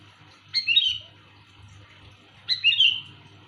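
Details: Sooty-headed bulbul calling loudly and clearly, a call used for luring: two bright, liquid phrases, each a sharp upward note sliding into a warbled, falling flourish, about two seconds apart, over a faint low hum.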